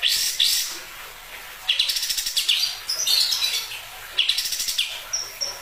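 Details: Kapas tembak bird giving high, dry chattering (croaking) bursts in two rapid runs about two seconds apart, then a few thin, high whistles.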